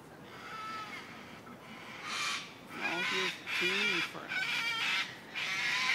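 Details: Wild cockatoos in the Royal Botanical Gardens, Sydney, Australia, giving harsh, raspy screeches in loud, noisy bursts of about a second, several in quick succession, with a low voice-like sound in the middle.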